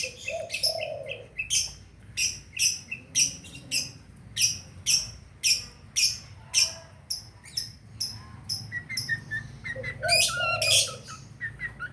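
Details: Long-tailed shrike lure for a caged bird that has stopped singing. Rhythmic, scratchy high notes come about twice a second, broken by low mellow whistles at the start and near the end.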